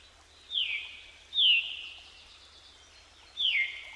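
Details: A tawny owl, hearing another tawny owl and responding to it, gives three high, sharp, down-slurred calls with hoarse, hissy tails, spaced irregularly, over soft background hiss.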